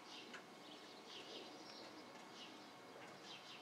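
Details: Fledgling Eurasian jays, from a brood of five hatched in a small tree, leaving the nest, give faint, harsh, raspy calls repeated about once a second over a steady background hiss.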